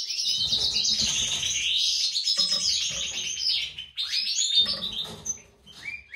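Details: Breeding pair of European goldfinches, white-throated mutation male and classic female, in captivity; fast rattling twitter and buzzy trills for about four seconds, then scattered rising chirps separated by short quiet gaps.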